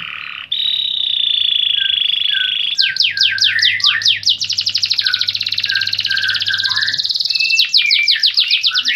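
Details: Canary song opening with a long, steady, high whistled note, then a run of fast, sharply descending sweeps, a sustained buzzy rolling trill, and another burst of quick sweeps. A faint low hum sits underneath.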